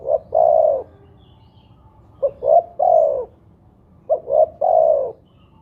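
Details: Spotted dove lure call used to coax other doves into calling. Three repeated three-part phrases, each a short hoot, a second hoot and a sustained falling coo, come roughly every two seconds against faint low rumble.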